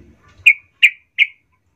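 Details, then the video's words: Yellow-vented bulbul giving three short, bright chirps, about a third of a second apart, each slightly slurred downward; nothing else heard; used as a lure call to rile up other bulbuls. "trucukmu Bakal ngamuk Naik darah ramai mendengar pancingan trucukan ini"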